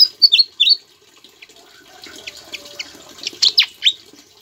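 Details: Caged Javan flycatcher singing actively, its song filled with bar-winged prinia (ciblek) imitations and used to tutor other songbirds. A few sharp, high, falling whistled notes come first, then scattered quick chirps and twitters over a quiet background.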